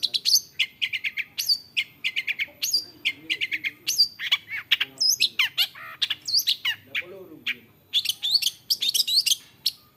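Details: Long-tailed shrike (cendet), which imitates a wide range of other birds, pouring out a varied stream of rapid high chirps, trills and slurred whistles in quick bursts for ten seconds.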